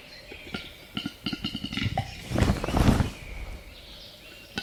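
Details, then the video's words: Western capercaillie calling up close: dry, knocking clicks that speed up, then a loud rushing, scraping burst before falling quiet, ending with a single sharp click. "Capercaillie Calling Up Close"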